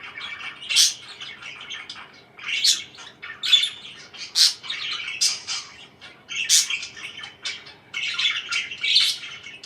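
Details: Scattered parakeet chirps: short, scratchy bursts and squeaky notes separated by quieter gaps of soft chatter.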